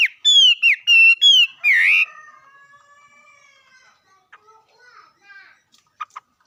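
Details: Several loud, clear whistled notes from a bird come in quick succession, then a buzzy slur, followed by quiet faint sounds and a few soft clicks.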